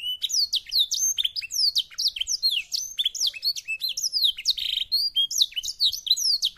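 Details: Black-throated canary, a finch of African origin, pouring out a loud fast song of bright falling whistles, sharp chips and short buzzy trills, phrases run together in a dense rapid stream over a quiet background.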